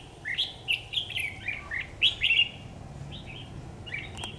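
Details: A red-whiskered bulbul, recorded on an AX40 4K camera, gives a quick flurry of chirpy slurred notes, then softer, fainter phrases, with a steady hiss behind.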